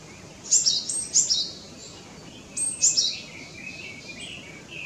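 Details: Japanese tit in summer mountain forest gives bright, high chattering notes in short bursts, two quick clusters then another a second later, over faint background hiss.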